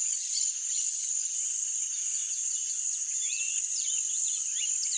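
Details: Rusty-collared seedeater singing: a run of quick, sliding whistled notes that sweep up and down, growing busier in the second half. A loud, steady high insect drone runs throughout.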